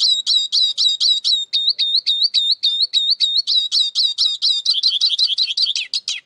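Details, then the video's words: Eurasian siskin in a lively continuous song, quick repeated whistled notes that rise and fall, roughly three to four per second, speeding into a denser twitter at the close. "İskete kuşu ötüşü"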